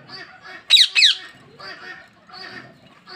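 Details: Pet parrot giving two loud, harsh squawks in quick succession, each sweeping sharply downward, surrounded by softer low chattering notes.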